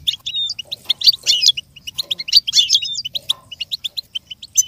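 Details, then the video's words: Goldfinch song played as stimulation for a goldfinch to learn and imitate sounds: fast, bright twittering with rapid high notes, a few sliding whistles and short buzzy bursts in quick succession, otherwise quiet. "With stimulation for the goldfinch to learn and imitate sounds"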